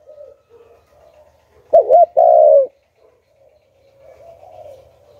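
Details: Hạp Bổi-style call of a decoy spotted dove meant to lure wild doves: one loud, hollow phrase of a short double coo and a longer rolling note, set between soft, faint distant coos.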